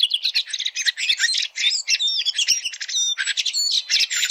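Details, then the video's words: Red-throated thrush singing: a dense, scratchy stream of rapid chirps, squeaks and twittering notes packed closely together, with brief pauses and no other clear sounds. "Red Thrush Singing"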